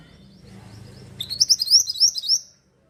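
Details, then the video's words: Javan sunbird (mantenan) in lively song used to lure birds: a quick run of high, sharp, rising twittering notes repeated rapidly for over a second, then silence. "mantenan gacor sangat cocok buat pancing burung bahan"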